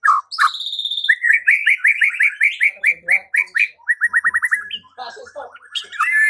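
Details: White-rumped shama singing to provoke singing and fighting: a long series of repeated bright whistled notes in rapid succession, followed by warbled chattering phrases.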